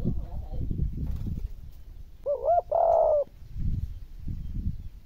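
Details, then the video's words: One spotted dove coo meant to get difficult decoy birds cooing: a brief wavering lead-in note, then a steady, mellow drawn-out coo, set between stretches of low rumbling background noise. "Cu gáy kích gáy cực đã tai cho những mồi khó nhất"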